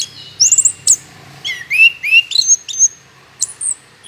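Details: Orange-headed thrush song meant as a lure to get other birds singing: sparse, bright whistled phrases, some sweeping down, others high and thin, separated by brief pauses.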